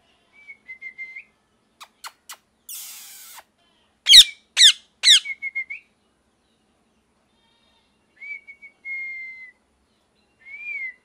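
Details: Angry pet ringneck parrot, molting, indoors: soft thin whistled notes and scattered clicks, a hissing rasp, then three loud harsh screeches followed by quick chirps, ending with faint level whistles.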